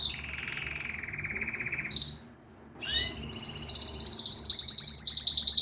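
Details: Canary singing a low rolling trill, a short pause, a rising sweep, then a long bright high trill.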